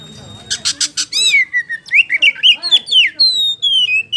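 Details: Caged White-rumped shama song opening with a quick stutter of harsh ticks, then flowing whistled phrases that rise and fall, ending on long clear high notes.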